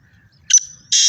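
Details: Black francolin in fields in Pakistan. Two short, rough, harsh bursts are joined by a thin whistled tone, all in little more than half a second.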